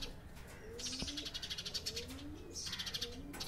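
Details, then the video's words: House sparrows in noisy group conversation: bursts of sharp, high chirps repeated in quick clusters, pausing briefly, with faint low sliding coos beneath and steady background hiss. "Conversation!!! House of commons 😂😂😂 House Sparrow!!!"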